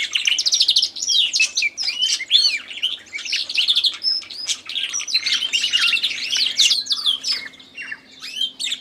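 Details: Recently purchased canary in song competition with a background tui: continuous bright, jumbled trills and swooping whistles; a steady low hum enters partway through.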